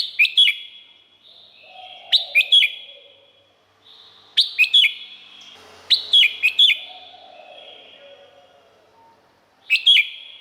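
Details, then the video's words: Song of a Red-whiskered bulbul from Thailand, played to rouse birds: five clipped whistled phrases of three or four quick notes, separated by echoing tails, with a faint lower warbling sound between them. "เสียงนกกรงหัวจุก สำหรับต่อ หรือ เปิดให้นกคึก เสียงเพราะๆ"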